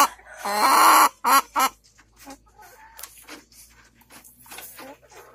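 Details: Hen searching for a comfortable spot to lay an egg gives one long harsh nasal call followed by two short bursts, then quieter scratching and rustling sounds.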